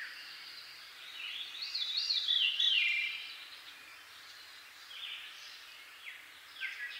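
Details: A Veery sings in the foreground a breezy, flutelike phrase spiralling downward, then two fainter, shorter descending phrases over steady hiss, with a Northern Cardinal and Red-winged Blackbird in the background.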